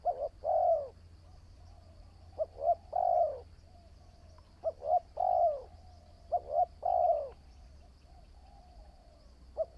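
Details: New spotted dove taken out for decoy training: repeated low cooing phrases, each two quick clipped notes followed by a drawn-out descending coo, four full phrases at about two-second intervals, a thin constant high tone in the background.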